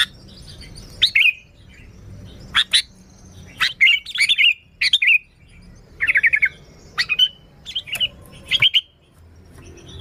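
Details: Sooty-headed bulbul singing for luring: clipped chirps and brief bubbly warbles in uneven groups, several quick notes packed together mid-phrase, over steady low background noise.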